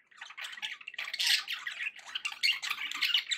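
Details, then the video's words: Budgerigars chattering in a dense, continuous mix of buzzy, scratchy notes with a slightly echoing, washed background. "budgie sounds to encourage your parrot to eat and sing"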